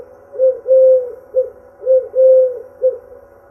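A dove gives soft, low, hollow coos in a three-part phrase: a short coo, a long drawn-out coo, then a short one. The phrase comes twice, with little else heard.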